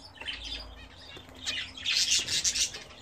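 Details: Pet budgerigars kept and bred at home, bathing: soft warbling chirps at first, then a louder burst of rapid, scratchy high chatter with fluttering wingbeats near the end.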